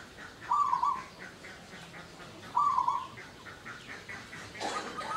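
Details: Local zebra dove, the perkutut, used as a lure to provoke mating arousal in other doves: two separate phrases, each a short, mellow, trilling coo, with a soft hiss and faint sounds in the background.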